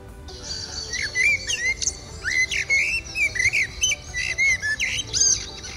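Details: A Common blackbird, a resident bird of parks that stays year-round and sings especially in spring and autumn, gives its song: clear, fluty whistled notes rising and falling in quick varied runs with thin high twitters, over faint hiss.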